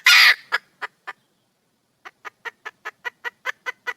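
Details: A wild junglefowl hen seeking a mate opens with one loud, harsh squawk and a few fading clucks, falls silent for about a second, then starts a quick, regular string of short clucks.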